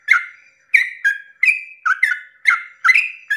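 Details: Sooty-headed bulbul in early-morning song meant to excite other bulbuls into calling; quick chattering phrases, each a burst followed by a level whistled note, repeated about every half second.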